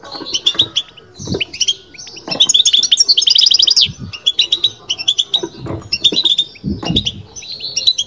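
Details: European goldfinch babtaba (بتבתה) song with a fast, buzzy trilled run in the middle, framed by quick high chirping phrases, and several low thuds in the background.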